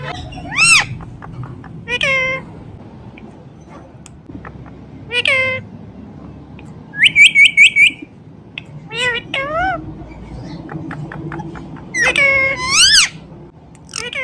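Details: Ringneck parrot speaking in loud, clear bursts: drawn-out nasal rising-falling syllables, a fast string of five clipped notes midway, then paired squawky phrases, against a quiet background.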